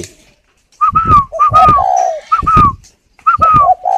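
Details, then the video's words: Caged spotted dove cooing while brooding eggs in a bird garden near Hanoi, Vietnam: rapid repeated phrases of higher ringing notes and low hoots, overlaid by dull knocking and handling noise and a man's encouraging voice. "CHIM CU GÁY LẠ(Vừa ấp vừa Gù 17 cái)"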